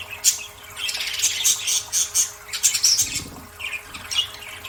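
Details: Pet budgerigars bathing, chattering in a fast stream of scratchy squawks and bright, high chirps.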